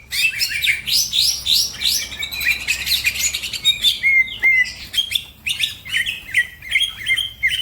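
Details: Green leafbird in fast, energetic song with other birds responding: bright, quickly repeated chirps and high slurred whistles, with a denser buzzy stretch at first, then rhythmic short notes.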